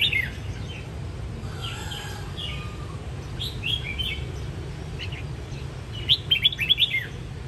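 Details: A red-whiskered bulbul in a home singing-contest setup gives bright, warbling whistled phrases, ending in a louder burst of quick rising and falling notes, over a steady low hum.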